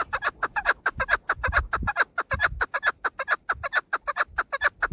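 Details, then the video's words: Female chukar kept as a hunting decoy, uttering a fast run of sharp clucking chatter notes, roughly two per second, evenly pulsed throughout with a low rumble underneath. "female dasi madi awas keklik sesi chakor birds zirk teter ki awaz"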